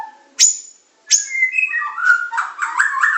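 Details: Medan white-rumped shama, masteran in super pancingan, macet, tembakan and isian style: two sharp high explosive notes, then a descending series of whistles breaking into dense chattering, warbled phrases.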